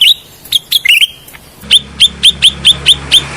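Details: Cucak rante bulbul sound used as a lure and as therapy for the bird: a few varied chirps, then a steady series of eight sharp, bright, upslurred notes about every quarter second over a faint low hum.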